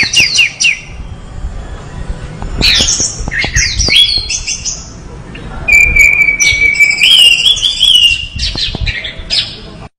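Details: Orange-headed thrush in full, lively song, with rapid varied whistled phrases, downslurred notes and a sustained warbling whistle that rises midway, plus scattered clicks in the background.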